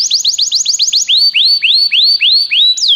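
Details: Loud canary song meant to encourage a pet canary to sing. Quick downslurred notes repeat several times a second, then slow into rising, swooping whistles.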